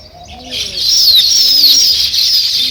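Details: Sparrows, named as weaver birds, in a dense, continuous chorus of high twittering chirps that builds and holds loud. A few soft, low, arched coos rise beneath the chatter.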